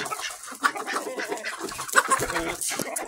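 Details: Mixed-breed barn chickens, July 26, 2023, giving scattered short clucks and brief squawks amid steady, broad barn noise.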